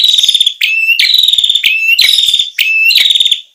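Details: Ashy tailorbird lure audio: quick chattering phrases back to back, each a sharp rising note followed by a rapid metallic trill, five phrases in under four seconds, clean with no background noise.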